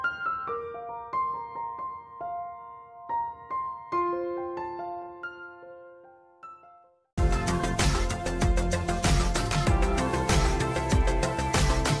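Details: Gentle piano notes for about seven seconds, then a brief silence and a louder, fuller stretch of instrumental music; no animal voice is heard.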